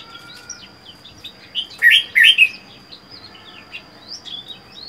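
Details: Solitary caged Red-whiskered bulbul, in captivity four months after capture, gives a short burst of loud slurred notes amid many faint high chirps from other birds and a steady thin whine.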